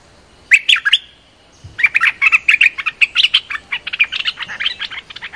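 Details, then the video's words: Streak-eared bulbul, described as a strong-voiced local master singer: a short opening flourish, a pause, then a long rapid series of bright, clipped chirps running steadily on. "จ้าวถิ่นเสียงดี เพลงดุๆ Suara pikat merbah lekir gacor"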